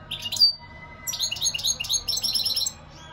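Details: European goldfinch song: a brief high twitter near 0.4 s, a pause, then a fast run of bright, liquid, chirping notes that ends in a rapid trill. No other sounds stand out.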